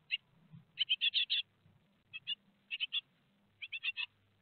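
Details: Nestling great tits at Théding, two days before leaving the nest on 15 July 2020, give harsh buzzy chirps in rapid runs of two to five, with pauses between bursts and a low background rumble.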